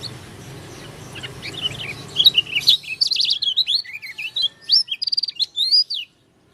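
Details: Lombok dakun white-eye with an odd voice: quiet distant twitters over a low hum, then a loud, rapid tumbling warble of high sliding whistles and short trills lasting about three seconds before stopping.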